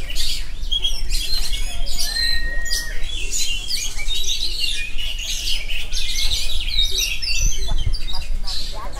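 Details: A rolling, unbroken oriental magpie-robin song of varied high chirps, buzzy trills and brief clear whistles, with steady low-frequency rumble behind it.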